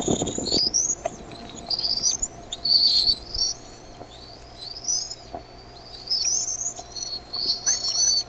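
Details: Bald eaglets at the Decorah nest, 13 May 2015 at 6:35 PM CDT, calling louder as their mother brings in food: thin, high whistled chirps, many rising or sliding upward, in quick uneven bursts with short pauses between.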